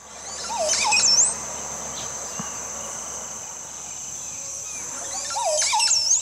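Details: In Costa Rica, a Montezuma oropendola gives two bursts of liquid, gurgling song, at the start and near the end, over a steady high-pitched insect drone. It sings while swinging around the branch it grips.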